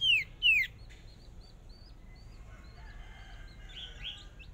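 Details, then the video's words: Hwamei decoy bird, newly brought out for its first practice in a small cage, in a fierce singing contest: two loud, clear whistles sliding steeply downward, then faint scattered chirps and short notes. "Chim Huýt Cô Mồi Mới Lên Lần Đầu Dợt Lụp Nhỏ Đấu Căng Lửa Thật"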